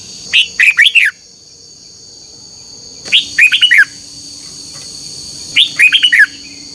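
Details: Red-whiskered bulbul singing at dawn in competitive duel fashion, recorded for training other birds: three lively phrases of rolling, downward-sliding whistles repeated roughly every two and a half seconds, with a persistent high buzz and faint low hum.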